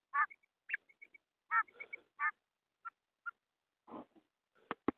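Female quail giving short, nasal, slightly buzzy notes in irregular bursts with thin squeaky whistles between them, ending with a few sharp clicks.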